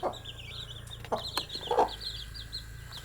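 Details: Baby chicks give a run of high wavering peeps, one after another, alongside scattered taps and a couple of lower clucking notes.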